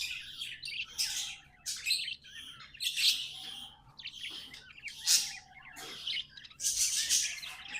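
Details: Pet budgerigars singing, a string of high chirps and buzzy warbled phrases at irregular intervals, each burst scratchy and bright, with short quieter pauses between.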